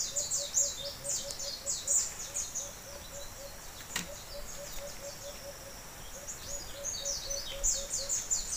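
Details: A wild White-eared brown dove, lured close by a caged decoy dove during trapping, gives a steady run of low, soft hoots, about three per second, against high insect buzzing and thin chirps of small birds.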